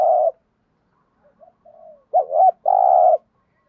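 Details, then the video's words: Coo of a spotted dove in the 'gù thúc' manner, meant to stimulate newly caught birds: an opening burry coo, soft faint notes after a pause, a dipping double coo and a long even rough coo. "cu cườm gù thúc bài bản giúp bổi rất xiếng gáy"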